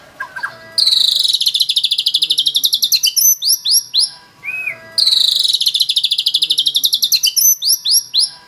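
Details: White-rumped shama repeating a long phrase twice: an extended fast high trill gradually slowing into separate curved whistles, with a brief low rising note between.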